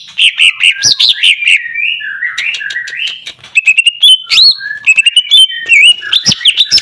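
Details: Greater green leafbird (cucak ijo) song used as a lure for silent birds: rapid, varied run of loud whistled, slurred and chattering notes, mostly high-pitched, jumping up and down with brief pauses.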